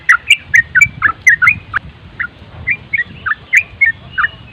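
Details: Yellow-vented Bulbul (trucuk) in nonstop nropel song, used as a tutor recording: short bubbly whistled phrases, mid-pitched and slurred, several per second in an irregular stream over a soft low rumble.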